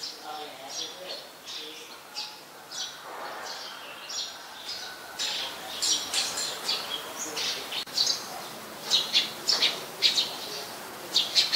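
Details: Eurasian tree sparrow in Ubon Ratchathani, Thailand, 10 May 2020: a loose run of short, sharp, high chirps, sparse at first and then coming quicker and louder toward the end, over light background noise.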